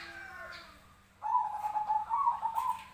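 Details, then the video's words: Zebra dove giving its fighting call, recorded for training birds: after a second of faint background noise, a fast series of soft, rolling coos runs steadily to the end. "Suara burung Perkutut Tarung"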